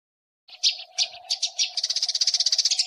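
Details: Eurasian tree sparrow fighting call used as master training material for competition songbirds: harsh, buzzy chirps at first spaced about half a second apart, then speeding into a rapid rattling chatter over a steady low hum.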